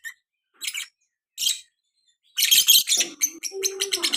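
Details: Young lovebird in the chattering konslet style: loud, harsh broadband chirps in short bursts, then a rapid run of buzzy notes mixed with a few lower tonal whistles, in a quiet small room.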